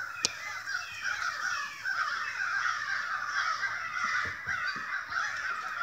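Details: A large flock of crows, stirred up by something unknown, near a house: a continuous loud chorus of overlapping harsh caws with no gaps, many birds calling at once.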